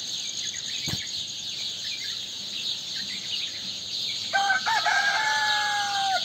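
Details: Rooster crowing at dawn after the dawn prayer on 31 May 2023: after four seconds of quiet, one loud harmonic crow breaks in and ends in a long, drawn-out falling note, over a steady high chorus of small birds and insects.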